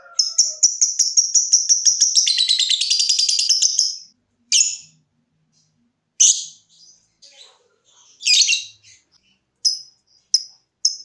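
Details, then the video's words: Lovebird song used as a lure for other lovebirds to trill: a four-second rapid shrill trill, then scattered squeaky chatters and sharp single ticks separated by silences. "Suara Burung LOVEBIRD dimulai NGETIK lanjut NGEKEK🔥Top Buat Pancingan Agar Cepat NGEKEK"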